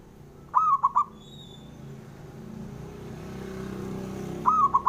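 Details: Local male zebra dove giving its challenge call to rivals: two bursts of hollow, rapid coo notes about four seconds apart, separated by a faint steady rumble like passing traffic.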